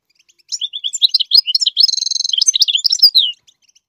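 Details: Goldfinch singing to teach its chicks to sing: a fast, high twittering run of chirps and short notes, broken mid-way by a dry, buzzy rapid trill, then more tumbling twitters before stopping abruptly; no other sounds.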